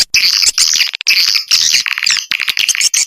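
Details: Swiftlet lure call of the Vietnamese Âm Ngoài Vĩnh Châu style, used to attract swiftlets: dense, rapid twittering chirps in high bands, overlapping in bursts with brief gaps, continuous chatter throughout.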